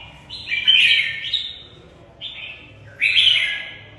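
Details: Caged red-whiskered bulbul of the Mộc bộ type singing its fighting song: loud warbled phrases sliding between high and mid pitch, two bursts separated by a short quiet gap, no other sounds.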